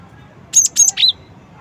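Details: Cinereous tit singing one of its song variations: two loud, very high, sharp whistled notes followed by a slightly lower third note, a quick three-note phrase in under a second against a quiet background.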